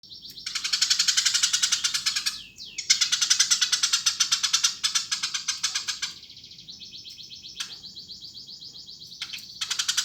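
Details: Eurasian tree sparrow calling busily: dense bursts of rapid, harsh chirps run for a few seconds, break briefly with thin whistled slurs, then resume. Later passages are softer, with steady buzzy notes and short chirp bursts.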